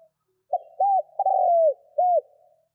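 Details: Single full cooing phrase of a spotted dove, a call for getting doves to coo fast: a brief opening note, an arched coo, a long slightly trilled descending coo, then a final arched coo, all low and mellow.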